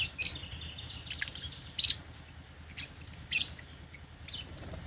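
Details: African lovebirds kept in a cage, eating holy basil at meal time; high, scratchy chirps at irregular intervals, one with a brief whistled tail, over quiet background noise.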